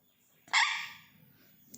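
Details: Pet sun conure in the morning, screaming for attention, gives one loud, harsh, raspy scream about half a second long that trails off; otherwise the room is quiet.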